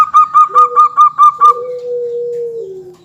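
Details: Zebra dove from a local line singing, used as a lure to make other birds call: six loud, ringing clipped notes in quick succession over a lower note, trailing into a long, slowly falling low tone.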